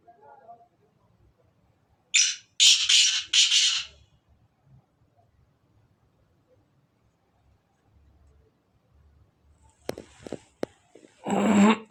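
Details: Black francolin, a Sindhi black francolin, gives one harsh, grating phrase of four rasping notes in quick succession, followed by long quiet and then brief knocks and a burst of rustling handling noise near the end.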